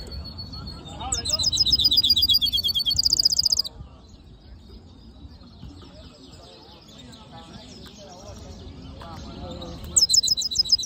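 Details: Black-hooded yellow siskin mule singing: a sustained high whistle, then rapid shimmering trills of repeated notes, a long quieter stretch of soft twitters, and a final bright trill burst.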